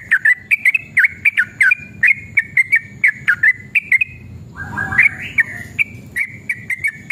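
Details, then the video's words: Yellow-vented bulbul in a long, excited song intended to provoke other bulbuls to answer: rapid, chirpy whistled notes, then a louder rising, warbled phrase, then more quick notes. "trucukan gacor EMOSI ROPEL PANJANG pancingan trucukan agar bunyi"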